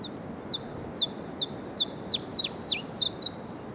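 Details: Cape bunting at Rooi Els, South Africa, 14 November 2012, giving a quick series of about ten thin, high, down-slurred notes, nearly three a second, over a soft low background hiss.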